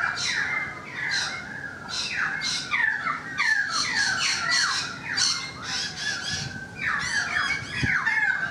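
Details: Currawong song heard from a balcony, a busy run of descending whistled slurs and rough squawking notes repeated almost continuously, some overlapping calls suggesting more than one bird.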